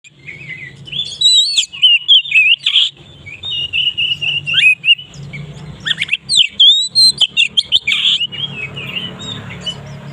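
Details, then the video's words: Oriental magpie-robin (kacer), kacer maret, singing a loud, open song used as a lure to draw other birds: rich, varied whistled phrases with sweeping notes and sharp chips in quick bursts, over a low steady hum. "suara kacer ngeplong keras cocok untuk pancingan Kacer Maret bunyi!"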